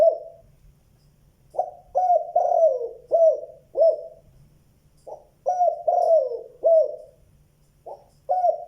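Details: Spotted dove calling, a good 'giọng đồng' in the two-note style with a cut-off ending. Repeated phrases of low, hollow coos, each with a drawn-out falling note, separated by pauses of over a second, and a faint thin whistle.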